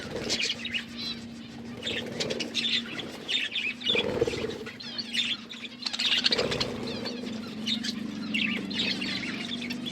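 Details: Budgerigars eating green food, chirping in short high bursts and soft chatter over a steady low hum.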